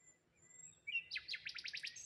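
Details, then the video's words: Birds chirping in the morning beside water with rose hips and a lone tree; a faint thin whistle, then a quick burst of seven or eight rapid, descending chirps in a row. "Morning Birds Sounds"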